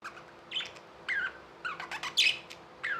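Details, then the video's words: Pet budgerigars chirping: short warbled notes and squeaky rising chirps in separate bursts, with brief quiet gaps between them over a steady low hum. "Budgies | Talking | Singing | Chirping sounds"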